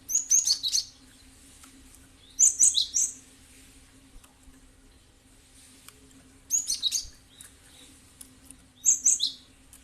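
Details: Cinereous tit calls used as a lure to make other birds answer and start singing: four bursts of sharp, high, scratchy chirping notes, each about a second long, spaced roughly two to four seconds apart, with a low steady hum beneath.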